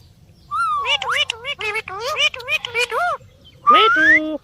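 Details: Parrot making a run of loud, harmonic-rich calls: wavering squawks and warbling notes with up-and-down pitch sweeps, ending in a long rising whistle and a flat tone, with a faint low background hum.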